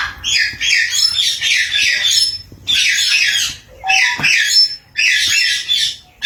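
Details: Green and blue parrot screeching in rough, rasping bursts roughly a second long, with a short clicking note and brief whistled tone in one gap.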